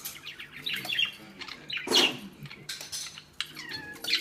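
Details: Angry pet female budgerigar attacking a ball on a string she cannot pull free; quick high chirps and squeaky warbling notes mixed with rattling, scraping knocks from the toy.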